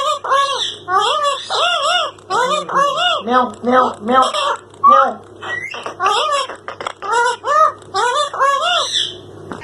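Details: Pet Indian ringneck parakeet talking, known for saying "Allah hoo" and other words: a fast, raspy stream of arched, voice-like syllables repeated over and over in speech rhythm, with short clicks between phrases.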